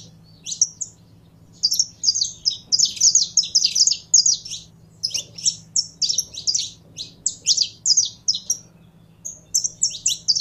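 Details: Saffron finch, a caged bird being warmed up for singing, delivering a fast, jumbled song of sharp high chirps and buzzy notes in bursts with short pauses; faint low hum underneath.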